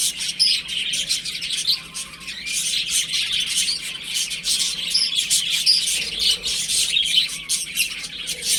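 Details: A group of baby chickens at home, playing and peeping nonstop: rapid, piercing short chirps layered into a steady, busy chatter.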